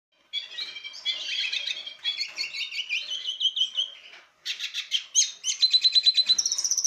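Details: Male lesser goldfinch (Carduelis psaltria jouyi) in breeding condition courting a female: a long, continuous, jumbled twittering warble, then after a short break rapid repeated notes and a steady high whistled note at the end.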